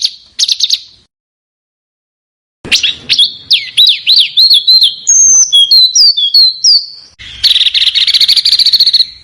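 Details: Small bird on a master track for teaching competition cage birds; a brief trill, a pause, then fast looping whistled notes, thin high phrases and a closing buzzy trill.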